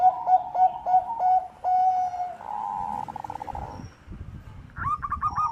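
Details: A Bangkok-type zebra dove, recorded as a lure to prompt other doves to sing, gives soft, mellow cooing notes in quick staccato runs, breaking into a rolling trill, then a brief higher-pitched phrase.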